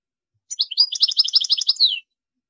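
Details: Single goldfinch phrase of about one and a half seconds: quick, bright, tinkling notes in a rolling twitter that ends with a downslurred note.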